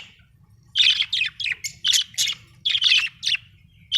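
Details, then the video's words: Happy budgerigar chirping: bursts of bright, scratchy chatter, the first starting about three-quarters of a second in, then repeating irregularly to the end, with a steady low hum underneath. "Happy budgie chirping sound"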